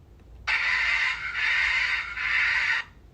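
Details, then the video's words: Scarlet macaw gives a loud, harsh, raspy squawk of about two seconds, breaking into three grating pulses that run together, made with its vocal box; faint background noise. "This is a scarlet macaw. Let's listen to their call."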